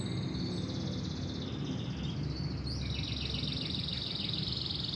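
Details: Local canary delivering a sustained high twittering phrase that shifts upward into a quick run of rapidly repeated trilled notes, heard over a constant low rumbling hum.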